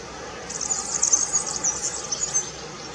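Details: European serin (Serinus serinus), song.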